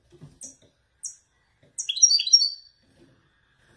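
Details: Caged male Widani European goldfinch performing the authentic Marrakech nzoulat song style: faint high ticks, then a brief bright twittering burst of rapid tinkling notes under one second long.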